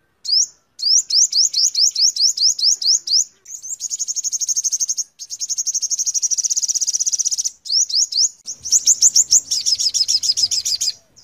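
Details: A five-coloured sunbird sings very high, thin notes: quick upslurred chirps in series, broken by long rapid trills, with a faint low rumble near the end.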